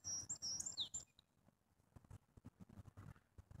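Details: A grey-headed junco opens with a second of shrill, tumbling twitter notes ending in a downslurred whistle, followed by soft repeated tapping and rustling.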